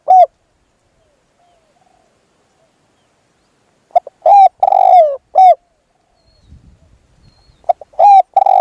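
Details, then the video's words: Luring a wild spotted dove with a caged decoy: a single coo, a long quiet gap, then a phrase of short hoots and a long falling note, later a low rustle and another phrase starting. "ต่อนกเขาใหญ่ พลาดเฉลยเสียงดีครับคารมสุดยอดครับ"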